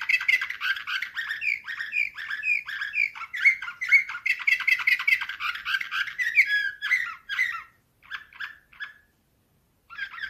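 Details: Canary in Slavujar nightingale-style song, 2024: dense rolling trills run unbroken for about seven seconds, then thin into scattered short notes separated by quiet gaps.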